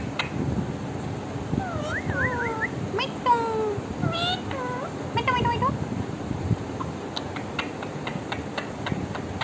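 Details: Pet parrot dozing off while talking, giving a series of clear sliding whistles that rise and fall, some looping up and down, amid a person speaking Hindi and soft clicking noises.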